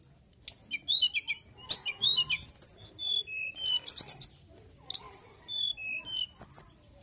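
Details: Mountain tailorbird singing energetically: a nearly continuous series of high, clear whistles, many slurring downward, with rapid chirps and some lower whistled notes.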